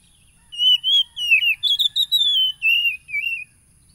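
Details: Oriental magpie-robin whistling, captured 30 July 2022 in Pekalongan district, Lampung, Indonesia, to make caged birds sing: a continuous, melodious flow of connected whistles with brief clicks, slowly drifting lower toward the close.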